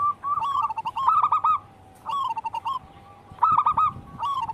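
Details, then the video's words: Local wild zebra dove singing: three separate phrases of quick, tumbling staccato coos, each lasting about a second, with quiet gaps between them. "Pancingan burung perkutut lokal alam gacor"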